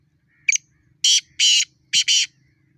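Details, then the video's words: Black francolin challenge during a fight: a brief scratchy lead note followed by two long rasping notes and a closely paired harsh double note, over a faint low hum. "Kala Teetar ki awaz|Black franclion voice"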